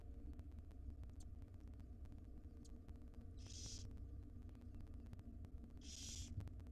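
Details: Owlets of the wild barn owl, five in a nest box, fed breakfast by their mother; two breathy hissing bursts roughly two and a half seconds apart, with faint ticks and a strong low hum.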